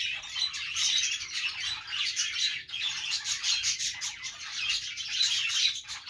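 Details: Budgies at play fill the air with busy, overlapping chirps and twittering warbles, a steady high-pitched flock chatter with brief scratchy squawks mixed in.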